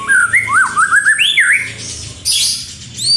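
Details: Singing white-rumped shama, played as a lure to get other birds to sing. Rapid, rich whistles leap up and down in short looping notes, followed by a brief harsh, noisy burst and a final high clear whistle.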